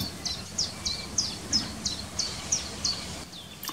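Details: Common chiffchaff (Phylloscopus collybita) singing its steady two-note chiff-chaff in early spring, sung tirelessly: about nine high, sharp notes alternating slightly in pitch, roughly three per second, over faint background hiss.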